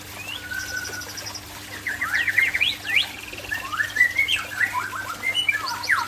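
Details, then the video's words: Aceh white-rumped shama song built from sharp rising and falling whistles, buzzy trills and a high rapid chatter, the notes jumping quickly between pitches, over a faint constant hum. "Murai Aceh # Pesona Murai Aceh"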